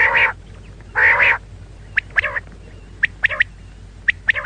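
Female quail: two harsh, rasping notes a second apart, then clusters of short, sharp chirps and clicks, against quiet background hiss.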